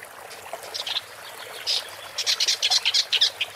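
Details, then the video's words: Woodchat shrike (Lanius senator) song: a few hesitant high chips, then a fast, scratchy chattering series of short bright notes, about two per second at first and then quicker. "Woodchat Strike (Lanius Senator) Bird Song"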